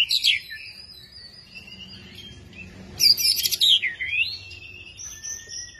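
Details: Long-tailed white-rumped shama, a kept songbird fed crickets and ant larvae, singing; a loud bright burst opens, then quieter sustained whistles, another rich burst at three seconds, and falling slurred notes with clean held tones.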